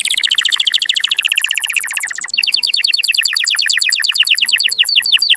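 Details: Strong canary song for mating, to excite males and prompt females: dense, rapid trills of high repeated notes, one rolling tour shifting abruptly into a faster, higher series of clipped notes.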